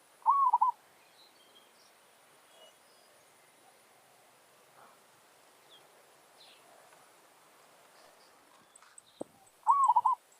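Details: Zebra dove, a village bird used to lure and challenge wild doves, singing a territorial challenge: one bubbly, rolling coo phrase opens and another closes a long quiet stretch, with faint rustling and a distant click between.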